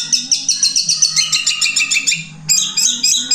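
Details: Long-tailed shrike in a cage, singing a rapid run of repeated bright notes that slide lower, a short pause, then a new high chattering phrase, over a constant low hum.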